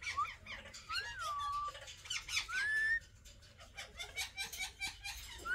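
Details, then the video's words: Pet Alexandrine parakeets perched together, uttering a gliding whistle that rises then settles level, followed by a rising note amid busy chattering bursts and clicks. "Alexandrine Parrot Talking"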